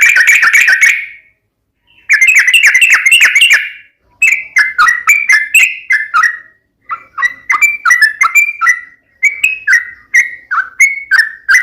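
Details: Fast, sharp fighting song of a sooty-headed bulbul with uplik and ropel phrases. A rich burst of bubbly whistles opens, then after a short gap come longer strings of quick, slurred, up-and-down notes.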